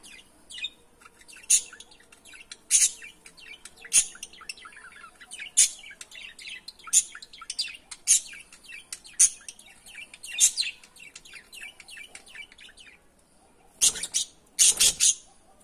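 Budgerigars give bright, scratchy chirps and warbles, repeated roughly every second.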